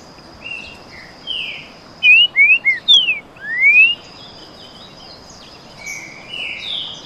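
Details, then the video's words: Two Green-winged saltators of the trinca-ferro 'canto boi' style dueling in song: quiet soft whistles, then a loud burst of short choppy slurred notes ending in a long rising whistle, followed by softer answering phrases and steady high background hiss. "Baderna de trinca ferro canto boi."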